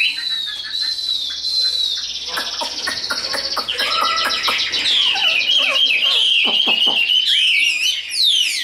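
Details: Tame, large-bodied caged Chinese hwamei singing in fighting display, rich whistled phrases around a steady high tone, then rapid clicking notes and sliding warbles, with broadband clatter mixed in.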